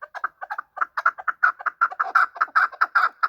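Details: Chukar partridge calling during a fight: quick, rhythmic chuck-chuck notes, some doubled, repeated rapidly and growing louder toward the end.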